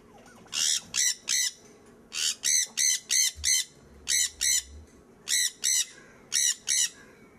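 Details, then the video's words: Sun conure, a brightly golden-yellow parrot native to northeastern South America, giving harsh, piercing screeches in quick bursts of two to five, with pauses between groups and a faint low hum beneath. "Sanconure Parrots"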